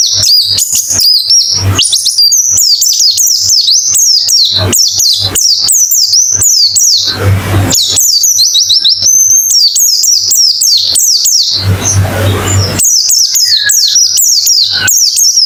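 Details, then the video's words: White-eye song therapy, played to coax a silent bird into singing: long, unbroken torrent of high twittering chirps and slurred whistles, with two brief noisy bursts partway through. "Terapi Pleci Cepat ngalas buka paruh"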